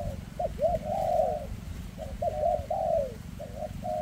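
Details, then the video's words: Spotted dove, a bird with a shaky leg, giving a dense 'rước' call: two quick clipped coos, then a long, drawn-out, falling coo, heard twice against a constant low rumble. "Chú Chim Có Tặt Có Tài , Siêu Phẩm 2024 Kèm Rước Siêu Dầy ( Chim Bị Rẩy Giò )"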